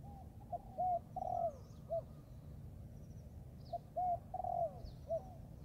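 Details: Young Thai-type spotted dove practising its cooing in the forest. Two matching phrases of low, hollow coos about three seconds apart, each a short note, a longer drawn-out rolling coo and a brief closing note. Faint high chirps from other birds.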